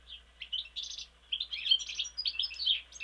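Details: European goldfinch singing near Mostar: a fast, tinkling twitter of bright chirps, short trills and buzzy notes running without pause over a low steady hum.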